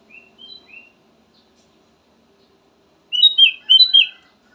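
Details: Kutilang emas (golden bulbul) singing. Three soft whistled notes are followed by a silence, then a loud cluster of fluty, slurred whistles rising and falling.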